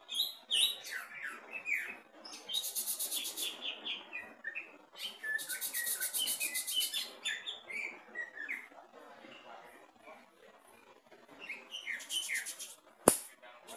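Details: Caged greater green leafbird tested at the bottom of the cage, with a long varied song of descending whistled slurs interspersed with loud sustained harsh buzzy bursts, quieter passages, and a sharp click near the end.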